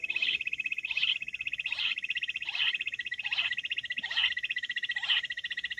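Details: Wild quail repeating brief, bright calls about every 0.8 seconds, seven notes in all, over a loud, buzzy, pulsing insect chorus.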